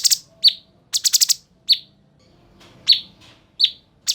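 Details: Lively cucak cungkok bulbul song for tutoring cage birds: quick stuttering harsh bursts alternating with sharp downslurred chirps, a rapid four-note rattle early on, then evenly spaced single chirps.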